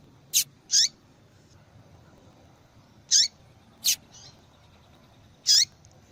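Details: Female yellow-bellied seedeater calling often, a call used to stir males into song; scattered high, thin chips and short descending whistled notes, singly and in pairs, with gaps of one to two seconds.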